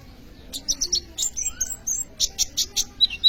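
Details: Kolibri ninja sunbird in full song, used as a lure for training other birds: quick high chirps in a steady pulsing rhythm, about four notes a second, ending with thin sharp whistles.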